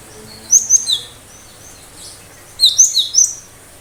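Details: Cinereous tit delivering sharp 'tembakan tajam' shots intended to trigger replies from other birds; two phrases of three to four crisp, high, downward-flicking whistles, separated by a short pause.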